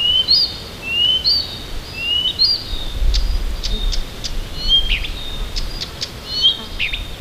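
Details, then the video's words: Morning song of a Siberian bird near Tomsk, Russia: rising whistled notes repeated three times, then quick sharp chirps and a final twittering phrase, all high-pitched, over a faint low background rumble. "Послушайте как поёт сибирская птичка!"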